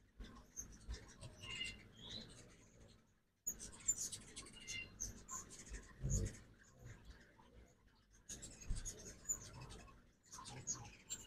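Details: Fall migration morning at a backyard feeder in Oxford, Mississippi, where ruby-throated hummingbirds give bursts of high, squeaky twittering chatter and thin chips in three separate spells, over a soft low hum.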